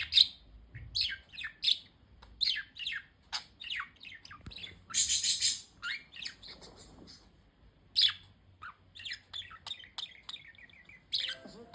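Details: Several budgies chatter continuously: bright, high chirps tumble one after another with a harsher, broader squawky burst near the middle and a thin, level trill toward the end.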